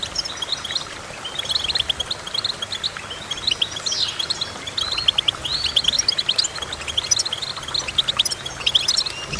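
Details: Goldfinch singing: rapid, tinkling twitters and short chirps, with quick rising and falling notes in dense bursts throughout and brief pauses in between, over a faint steady background hiss.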